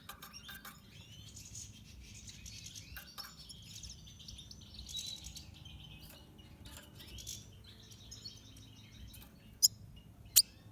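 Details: A red siskin of the pastel colour form twitters softly in a rambling run of high, thin chirps over a steady low hum, ending with two sharp clicks.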